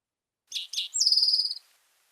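Eastern Towhee song: two short, bright introductory notes followed by a fast, ringing trill, the classic 'drink your tea' pattern, with no other sounds.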